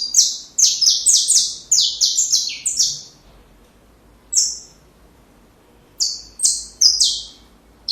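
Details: Saffron finch singing to train young birds: a rapid burst of about ten buzzy descending notes, then scattered single notes separated by quiet gaps.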